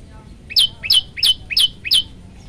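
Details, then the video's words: Olive-backed tailorbird (prenjak lumut) singing a varied tutor song for training: five loud two-part notes, a short low chip snapping into a sharp, high descending whistle, about three per second, over a quiet background. "masteran handal prenjak lumut gacor variasi"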